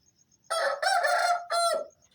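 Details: Aseel cockerel crowing at dawn, roughly 4:30 am, as a wake-up call: one powerful, hoarse crow with a stretched middle syllable and a sliding, fading last note, faint high insect chirps around it.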